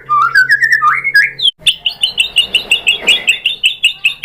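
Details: Murai batu, the white-rumped shama, in a lure recording used to goad other shamas to sing: a climbing series of whistled notes, then a run of rapid, evenly spaced bright chips.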